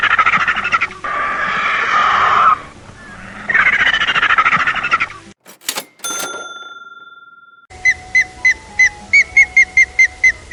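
A turkey gives two loud, rapid, gurgling gobbles, each about two seconds long. A brief chime follows, then another bird's quick repeated chirps.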